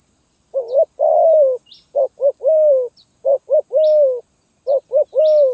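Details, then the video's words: Zebra dove song of the Gagap Tindan (Sepatah) type, 23 January 2022. Each phrase has one or two stuttering short coos and then a drawn-out, slightly falling coo, repeated four times, with soft high chirps in the background. "Burung Terkukur Gagap Tindan (Sepatah)"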